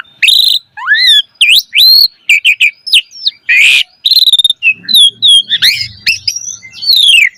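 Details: Vigorous song of a Javan pied starling, used as a tutor for young starlings: a dense mix of whistled slurs, quick chips and one harsh burst, with a faint low rumble partway through.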